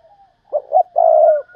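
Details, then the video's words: One cooing phrase from a decoy spotted dove calling thúc bổi to lure wild doves: two short low hoots, then a long, steady, slightly rolling coo. "tiếng cu mồi thúc bổi, cu gáy mồi cây"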